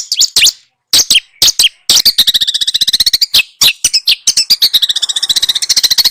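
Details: Small birds heard in a training recording aimed at a white-rumped shama; a few loud, high chirps, then a long, rapid, evenly pulsed trill running to the end.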